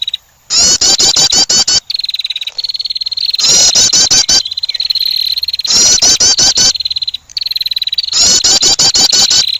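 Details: Female wren giving an attracting call: shrill bursts of fast, sharp high notes, each followed by a long, even, piercing trill. The pattern repeats four times at intervals of about two seconds, with no other clear sounds.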